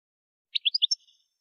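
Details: A goldfinch, recorded for song training, gives a brief run of five quick, high chirps that rise and fall in pitch, followed by a faint fading trill.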